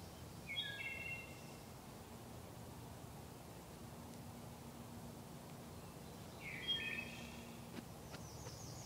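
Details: Wood thrush in a sacred grove sings two distant flute-like phrases several seconds apart, the second ending in a rapid high trill, over a continuous low hum.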